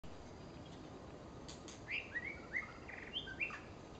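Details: Female white-rumped shama calling: a short series of thin, bright whistled notes, some upslurred and some downslurred, several in quick succession over a steady hiss, with faint clicks before them.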